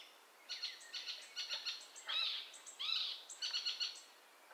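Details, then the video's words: Icterine warbler singing a jerky sequence of short high chirps and twittering notes, interspersed with richer squeaky and nasal phrases, about a dozen elements in quick succession with short gaps. "Vogelstimmen: Der Gelbspötter - Icterine Warbler - Hippolais icterina"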